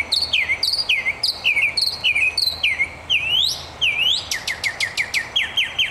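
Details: Unidentified bird singing from a palm: a run of clear, down-slurred whistled notes repeated about twice a second, one longer rising sweep, then a fast series of sharp chips at the end, over a quiet background.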